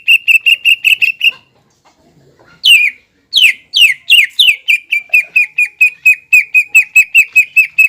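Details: Greater green leafbird singing to goad rival leafbirds. A quick burst of short, even whistles stops for a moment. Strong descending slurred notes then follow, settling into a long, steady run of rapid whistled notes.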